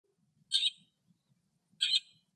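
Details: Lesser grey shrike singing in the wild in Greece: two short, harsh, scratchy chattering notes about a second apart, with a faint low rumble beneath.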